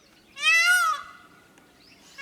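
A peacock gives one loud, nasal, wailing scream, rising slightly and then falling over about half a second; a second call starts just as it ends.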